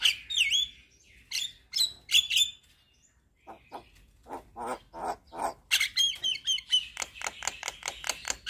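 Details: Nodding, energetic Javan myna delivering a song rich in varied fill-in notes: squealing whistles and rasps, a brief quiet gap, then a long steady run of clipped harsh notes mixed with thin high whistles.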